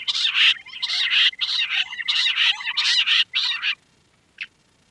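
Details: Queen quail (lohari) calling in loud, rasping bursts of chatter for nearly four seconds, then falling quiet apart from one brief chirp near the end.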